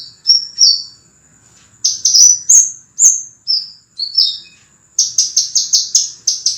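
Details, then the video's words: Scarlet minivet song from a master recording for training cage birds: clear, high whistled notes, some steady and some sliding downward, given in short phrases, then a fast run of sharp repeated notes near the end. "MASTERAN BURUNG SEPAH RAJA SUARA JERNIH RAPAT DAN TAJAM"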